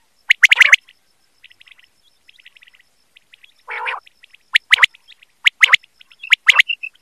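Common quail giving sharp, clipped three-note bursts, repeated about every second, with faint high chirps and a lower buzzy note in between.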